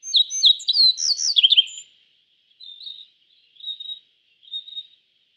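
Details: A yellow bunting sings a fast phrase of repeated high chirps rising into a busy, slurred flourish, then three softer short notes spaced about a second apart; steady high hiss in the background.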